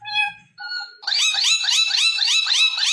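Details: Indian ringneck parrot voicing two steady, clear whistled tones, then a fast string of loud, buzzy, repeated speech-like syllables.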